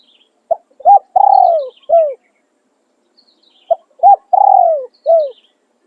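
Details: Decoy spotted dove repeating its crowing song twice, about three seconds apart; each phrase is a short note, a hooked coo, a long descending coo and a brief falling tail, with faint high bird chirps behind.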